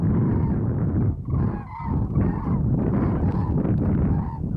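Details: Common cranes on mass migration over the Strabrechtse heide, 5 March 2013: overlapping rolling, honking trumpet calls from a passing flock, several voices at once, over a heavy low rumble of wind on the microphone.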